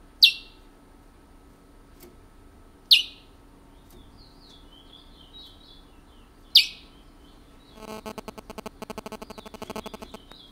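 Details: Caged picolette kept since 1986 in French Guiana, singing the rare regional Matiti style: sharp descending notes about every three to four seconds, faint thin warbled phrases between them, then a fast pulsed, rattling passage near the end.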